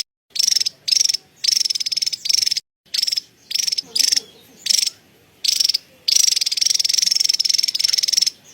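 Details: Javan tesia cerecetan song: short, sharp, high rattled bursts spaced irregularly, ending in a longer continuous buzzy chatter lasting over two seconds.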